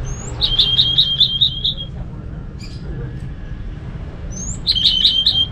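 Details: Singing orange-headed thrush from North Bali, played to coax other thrushes into song: a high slurred lead-in followed by a fast run of about six even whistled notes, repeated after a pause, over faint low hum.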